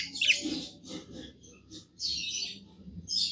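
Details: Pet budgerigar giving breathy, hissing chirps in three separated bursts, with softer twitters between them and a low background rumble.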